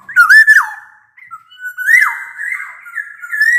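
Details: Black-naped oriole singing actively, a recording meant to prompt quiet orioles to sing: loud fluty whistles sliding up then dropping, with a short nasal buzzy overtone-rich note between phrases.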